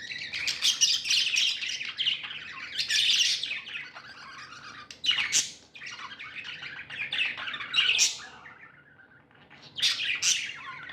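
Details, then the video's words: Pet budgerigars in a happy mood warble in scratchy bursts separated by brief lulls, with sharp high squeaks standing out every few seconds. "Happy budgies chirping sounds"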